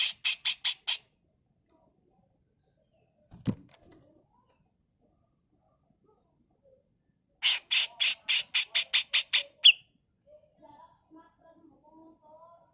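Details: Rasping 'mbeset kasar' tutor song from a female grey-cheeked bulbul: a quick run of five scratchy notes, a lone knock, then a fast string of about ten harsh bursts ending in a whistle, followed by soft low chirps.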